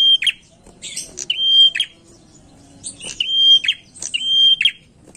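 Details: Prinia lure song, the bird in lively full voice: a sustained high whistle held level, ending in quick lower twittering notes, the phrase repeated about every second, with faint chirps above.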